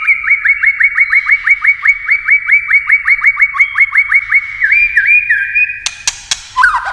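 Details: White-rumped shama in intense competition singing with many voices: a long run of rising whistled notes repeated about three times per second, shifting to slurred whistles, then harsh broadband bursts and a dropping note near the end.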